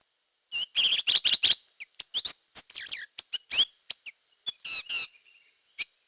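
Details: Hair-crested drongo, locally called gentolang or srigunting kantil, in a lure recording: a burst of rapid harsh notes, then varied whistles, twangs and squeaky chirps in an irregular jumble.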